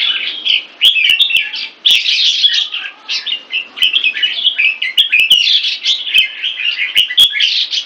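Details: Captive red-whiskered bulbul in Singapore, partway through molting, delivering a loud, fluid chattering warble of rolling, mellow phrases run closely together, punctuated by several sharp cage clicks.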